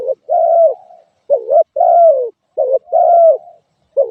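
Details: Spotted dove cooing in a steady pattern, brief bent coos followed by longer descending ones, about three pairs with short pauses, with no other sounds.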